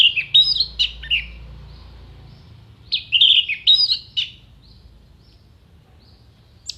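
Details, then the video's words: Orange-headed thrush giving dense mimicry song for contests: two bursts of rapid, jumbled whistles and chattering notes with a quieter gap between, low hum in the background. "MASTERAN ANIS MERAH GACOR FULL ISIAN TEMBAKAN TAJAM VOKAL JERNIH DURASI PANJANG ISIAN BURUNG LOMBA"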